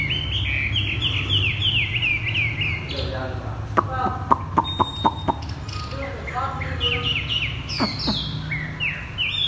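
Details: Caged Chinese hwamei delivering 'thắt cổ chai' song: a quick series of descending high whistled slurs, then a burst of sharp clicks, buzzy lower phrases and a final rising whistle; low hum throughout.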